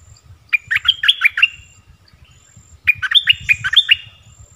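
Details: Two quick, babbling chirp phrases from a decoy bulbul used to lure wild birds, 16 March 2021, over a low rumbling background.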